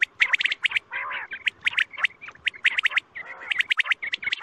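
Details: Quail (batair) calls played as a night-time hunting lure: dense bursts of sharp, squawky chirps with harsher grating notes, overlapping as if from several birds, in rapid irregular clusters with brief gaps.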